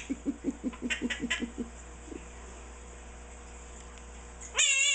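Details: Pet Quaker parrot, aged 16, at home, giving a fast run of low knocking pulses with a few brighter clicks, a pause, then a sudden loud harmonic whistled squeal at the end, with steady room hum.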